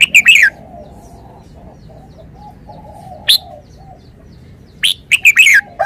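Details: Red-whiskered bulbul singing short, loud whistled phrases: a three-note burst at the start, a single note near the middle, then a longer four-note phrase near the end. A quiet low hum fills the gaps between phrases.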